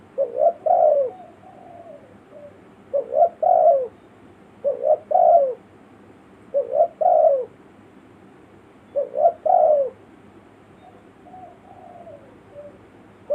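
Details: Spotted dove lure call in a village setting, used to attract wild forest birds: six phrases of cooing, each two short rising coos and then a longer, drawn-out descending coo, repeated roughly every two seconds over a quiet background.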